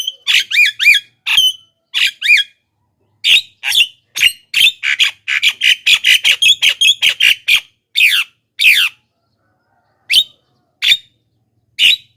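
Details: Javan myna, a loud, lively calling bird used as a lure for wild mynas: dense runs of harsh, squawky and whistled notes with sharp upward and downward slurs. The notes come in quick bursts and then thin out toward the end.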